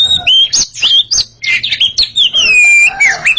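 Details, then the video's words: Oriental magpie-robin pair dueling in song, loud clear whistles sliding down and up, interleaved with harsher chattering notes in a quick, unbroken stretch. "Sepasang kacer sedang beradu kicauan"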